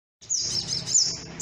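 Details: Sunbird lure call, meant to draw wild birds down onto birdlime: a dense, high, thin twittering run that starts after a short silence and ends on a sharp, bright note.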